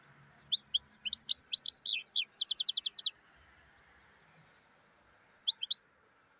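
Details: A black-headed European goldfinch delivers a quick cascade of high twittering notes running into an even series of rapid repeated chirps, then falls silent before a short closing flourish.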